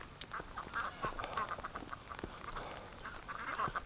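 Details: Winter flock of domestic ducks fleeing through deep snow in wind and rain as a keeper chases a limping female; a quieter run of rapid, nasal quacks rises and falls against gusting wind and crunching snow.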